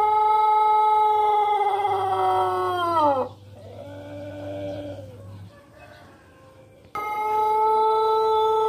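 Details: Ornamental Pelung rooster from Indonesia, not a fighting breed, ends a long sustained crow with a sliding downward drop. A quieter pause with faint murmurs follows, then a fresh loud, steady, harmonic crow begins.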